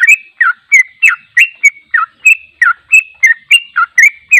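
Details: Sooty-headed bulbul in long 'ropel' song, unedited, intended to train other birds: fast, evenly spaced, liquid whistled notes, each a short slur, about three per second, with a clean quiet background.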